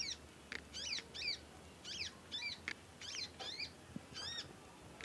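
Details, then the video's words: Young conin bird, still learning to sing, gives a lively run of high squeaky chirps, each a quick falling arch, repeated roughly every half second with irregular spacing. "ANAKAN CONIN, NYECET PANJANG BELAJAR BUNYI & GACOR"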